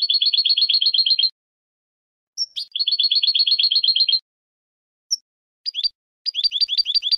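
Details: European goldfinch song for contest training: a long even trill of rapid paired notes, a short high whistle, the trill repeated, then a few upward-flicked chirps building into another fast series.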